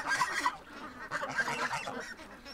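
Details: Free-range domestic goose in Toronto, Ontario, Canada, honking at ducks while breeder ducks wait to be let out; repeated nasal honks amid busy duck quacking and farmyard chatter.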